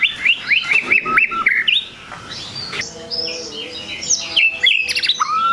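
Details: Provoking song of a white-rumped shama toward rival shamas: a quick series of repeated whistled notes, a quieter middle, then high varied phrases ending in a low whistle.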